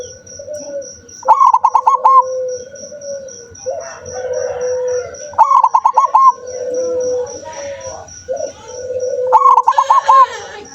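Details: Zebra dove repeating its song three times, about every four seconds: each phrase a fast run of clipped, pulsed cooing notes with a drawn-out final coo, between softer low wavering sounds and a constant high throbbing whine.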